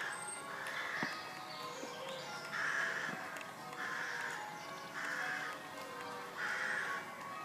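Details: Rooks give five harsh, hoarse caws about every one and a half seconds over the ringing bells of St Mary's church, Pulford, near Chester, England, on 20 May 2018.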